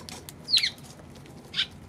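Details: Eurasian tree sparrow recorded March 16: two loud, abrupt chirps about a second apart, the first squeaky and bending downward, the second rounder, against faint low background noise.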